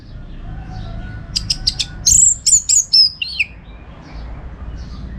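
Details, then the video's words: Orange-headed thrush in full song, used as a tutor recording for contest birds: a quick burst of clicky notes, then bright, high whistled phrases sliding up and down, ending with a short descending slur. "Masteran ANIS MERAH Gacor Untuk Melatih Mental Burung Untuk Gantangan"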